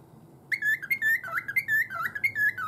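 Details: Caged pet cockatiel that had been rattling its cage, now in good spirits and whistling. After half a second of quiet, a lively run of clear, slurred whistled notes begins, each dipping and climbing, packed closely together, with no other sounds.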